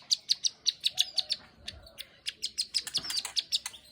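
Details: Plain prinia (ciblek sawah) singing energetically: evenly spaced, loud, high clicking notes about five per second, continuing through the clip with slight buzzy overtones.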